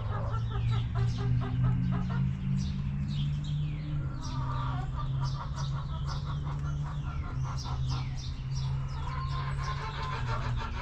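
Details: Backyard hens cluck in bursts of short, rapid, stacked notes, first near the start and again midway. Small wild birds chirp overhead all through, with a low steady rumble beneath.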